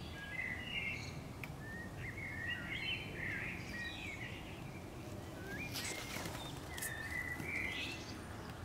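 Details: In summer, a common swift clinging to a neighbour's wall near nest boxes gives harsh, buzzy, wavering screams in short bursts, pausing before a final run of calls, over a steady low rumble.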